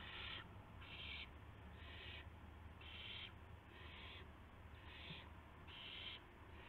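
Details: Owls before sunrise on 26 March 2016 at a nest where a gopher and a mouse are delivered; rasping, breathy hisses of about half a second come in a loose series, with low background rumble.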